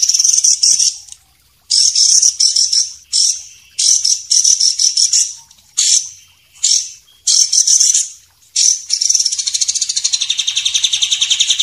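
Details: White-rumped shama song recorded for training, champion and young spotted birds: short bursts of sharp high notes separated by brief pauses, ending in a steady, rapid, buzzy trill.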